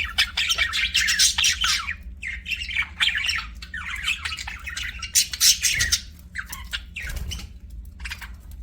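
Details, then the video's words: Pet budgerigars sing and chirp in a lively run of squawky, buzzing warbles and quick chirps, quieter and more broken toward the end, with a few low thumps. "BUDGIES SINGING AND CHIRPING"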